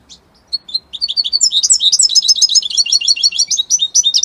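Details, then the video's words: Italian European goldfinch in strong song: after a few soft chirps, a dense, rapid stream of bright, liquid twittering notes builds and continues without a break to the end. "من أقوى تغاريد طائر الحسون الجميلة الحسون ايطاليا"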